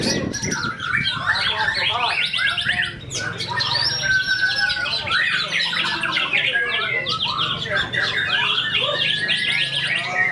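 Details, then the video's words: White-rumped shama, a tame-natured bird, competing in a main-ticket 16G song contest and delivering isian fill-ins: nonstop torrent of sweet whistles, sharp chips and rattling trills, with other singers and background voices. "MB Kodrat Muntahkan Isian di Tiket Utama 16G"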